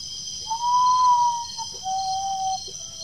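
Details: Common potoo singing at Guaraú, Peruíbe, São Paulo, Brazil, on 20 September 2018, drawn in with playback: a long, pure, mournful whistle slightly arching, then a lower, flatter whistled note, over a steady high insect drone.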